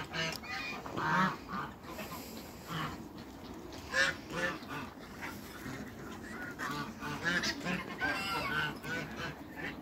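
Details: Toulouse geese, a couple meeting on a waterbird farm, give softer nasal honks and cackles, irregular and partly overlapping, against steady background noise and a faint high hiss.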